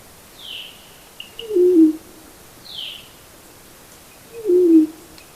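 Two low, hollow coos about three seconds apart, each sliding slightly downward. Faint, thin high notes from other birds sound in the background.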